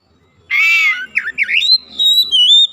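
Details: Oriental magpie-robin (kacer) that had been reluctant to sing, being coaxed back into vigorous song: a harsh, buzzy note, then short swooping whistles and a long run of clear, high, slightly wavering whistled notes.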